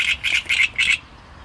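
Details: Short fragment of great reed warbler song: four loud, harsh, grating notes in quick succession, then silence.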